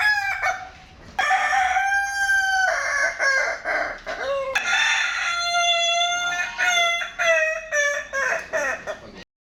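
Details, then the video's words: At a Kukuak Balenggek crowing contest in Padang on 8 October 2023, a rooster gives extended harmonic crows, a steady held note followed by fast stepped trills and wavering syllables, with other crowing birds overlapping. "laberan Ayam Kukuak Balenggek AKB Padang"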